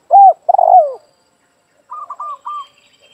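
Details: Spotted dove calling in a yard, with the call used to lure other doves during trapping: two mellow, low coos, then a short pause and three quicker, slightly higher rolling notes, with a quiet background.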